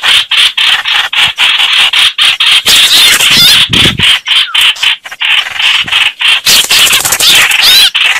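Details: Red-whiskered bulbuls in a fight, giving a steady stream of rough, squealing chatter in quick pulses, with a short low rumble near the middle.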